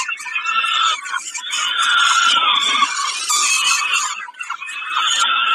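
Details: Peregrine falcon at Kawęczyn while taking a snack on 20.05.22: intense, continuous, raspy screeching and wailing, rapidly pulsed and overlapping, nearly without pause throughout.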